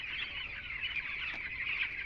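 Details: Many ten-day-old chickens on a farm in winter: a steady wash of high, overlapping chick peeps, quieter and blended, with no clear gaps and a faint click near the end.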